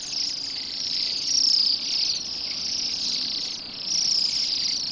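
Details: Bohemian waxwings on a rowan tree on a gloomy December day, eating berries in a yard by a road in Pushkin, St Petersburg, Russia; high, thin trilled calls from several birds blend into a continuous shimmering chorus that swells and fades.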